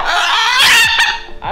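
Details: Blue-and-yellow macaw giving a loud, harsh, raspy screech held for over a second, followed by a brief clipped squawk.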